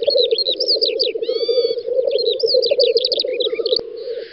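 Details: Lekking black grouse on a spring field, Volga federal district of Western Russia, May 2019. Their continuous pulsing, cooing bubble fills the low range while small birds sing busy, sharp phrases above and one clean whistled note holds briefly.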